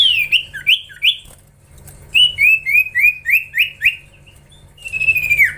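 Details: Young common iora, singing actively while trained, gives a few quick upswept whistles, then a run of six to seven short, even, downslurred whistled notes, ending in a long level whistle that drops away.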